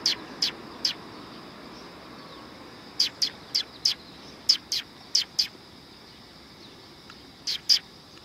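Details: Eurasian tree sparrows arriving to be fed at a Tenmangu shrine, 9 September 2020: short, sharp, scratchy chirps given singly or in quick clusters of two to four, around fourteen in all, with quiet pauses between.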